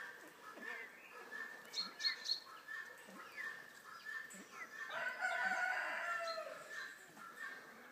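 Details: Crested fireback pheasant recorded in Sofia, Bulgaria: soft low clucking notes repeated several times a second, with a louder rising burst of sound midway through and faint background hiss.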